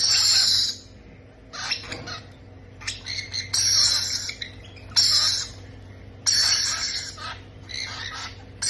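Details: Baby parrots at feeding give harsh, hissing squawks in irregular bursts, a long loud one at the start, then a series of rasping, stuttering calls, over a low steady hum.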